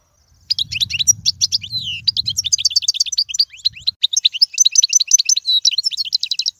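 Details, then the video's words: European goldfinch song for teaching young birds: a steady, hurried stream of high chirps and tinkling trills, with a faint low hum beneath the first few seconds. "أفضل تغريد الحسون"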